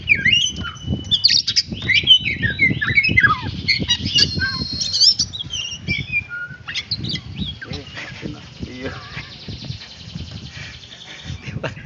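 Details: Oriental magpie-robin (kacer) practising: a burst of looping, repeated whistled phrases and squeaky notes in the first half, fading into quieter buzzy chatter, with low thumping background noise throughout.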